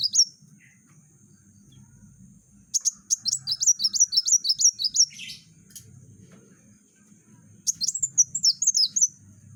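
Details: Van Hasselt's sunbird in lively rapid-fire song for tutoring other birds, giving two bursts of quick, high, swooping notes separated by a quiet gap, with a steady low hum in the background.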